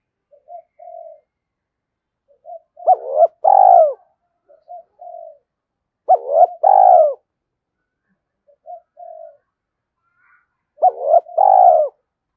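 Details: Lure coo of a spotted dove meant to draw wild doves into cooing, thổ sấm voice style: three full phrases, each of soft short notes then a loud two-part coo with a long falling purr, spaced about four seconds apart.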